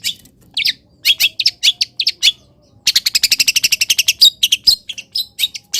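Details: Long-tailed shrike kept in a cage, singing after misting in morning sun; scattered harsh chirps, then a fast even run of about twenty clipped notes, followed by sharp higher calls.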